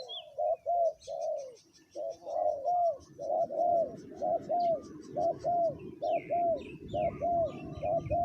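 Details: Ground-set decoy spotted dove at a third spot, cooing in a long regular run of paired hollow notes over a rustling, breezy background. Scattered chirps and whistles from other birds are also audible.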